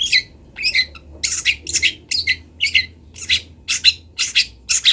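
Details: Local long-tailed shrike from Kendal, master recording for training birds: harsh, grating squawks delivered about twice a second in an even, repetitive series.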